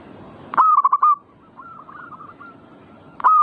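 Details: Zebra dove (perkutut) cooing in manggung style: a loud phrase of rapid rolling notes, then softer distant coos, and the start of another phrase at the end.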